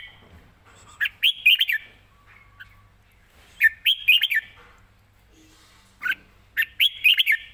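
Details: Red-whiskered bulbul singing live, quick and well phrased: three repeated phrases, each a rapid string of four to five liquid, warbling whistles, about every two and a half seconds.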